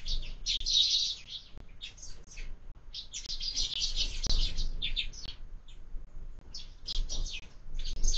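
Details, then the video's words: Sparrows crowding a window feeder at breakfast, dense overlapping high chirping and twittering from more than one bird almost without break, occasional soft taps against the feeder. "Воробьи в кормушке - Завтрак"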